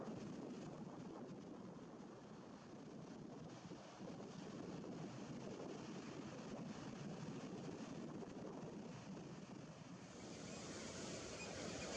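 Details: Steady wind buffeting and rushing water, like a boat underway, with no animal calls heard.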